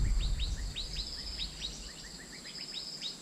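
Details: Asian fairy-bluebird call used to lure birds: a quick series of short, sharp downslurred chirps, some higher and some lower, tumbling rapidly over a steady background hiss with a high ringing hum.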